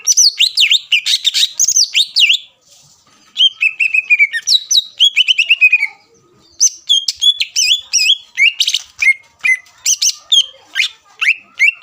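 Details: Greater green leafbird in full song, meant to stir rival leafbirds: energetic sequences of high whistles, chattering notes and upward slurs, repeated in three long bursts with short silences between.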